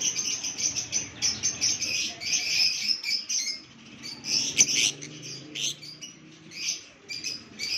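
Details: Lovebirds chattering in a steady stream of sharp, high chirps and squeaky tweets, rising and falling in bursts about four times a second, with a faint low hum behind them.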